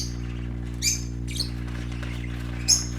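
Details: Three short, high, bright chirps from playing parakeet babies, well spaced across a few seconds, over a constant low background hum.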